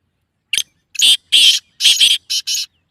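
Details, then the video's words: Black francolin call meant to bring the bird into breeding condition: a series of harsh, grating bursts, one short note followed by longer, buzzy syllables in pairs, loud and clean with no other sounds. "کالے تیتر کو مستی پر مجبور کرنے والی آواز | Black Teetar Calling Sound"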